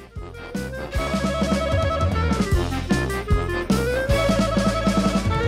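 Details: Jazzy music plays throughout, with a drum kit, punchy bass drum and melodic instruments; no animal voices.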